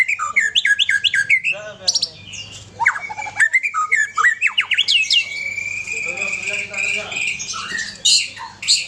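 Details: Aceh white-rumped shama song: repeated quick upslurred whistles, then a long sustained whistled note with chattering, scratchy notes layered on top. A constant low hum runs beneath.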